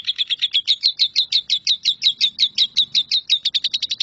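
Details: 'Nyambung kuntilanak' song of a Lovebird, recorded to teach shrikes: a crisp, loud trill of sharply downslurred chirps at a brisk regular beat, quickening slightly toward the end, with faint low rumbling behind.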